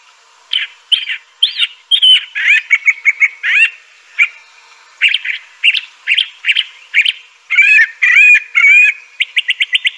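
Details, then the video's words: Song of the crissal thrasher, a curve-billed thrasher of southwestern US and Mexican thickets: sweet, varied phrases delivered about twice a second, mixing slurred whistles with quick chattered note groups and a brief pause midway. "Crissal Thrasher bird song."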